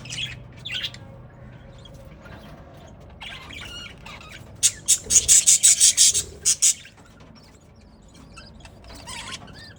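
Budgerigar giving a quick burst of harsh, high chirps, with fainter chatter before and after.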